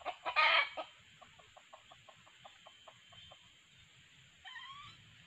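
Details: Wild red junglefowl lured with a decoy male and a female call: a loud harsh burst opens, then soft, regular clucks follow, ending in a faint, brief rising tonal call.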